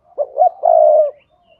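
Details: A single cooing phrase of a spotted dove, used to stimulate other doves to call. It has two quick low hoots followed by a drawn-out, rolling coo, with a faint softer coo trailing after.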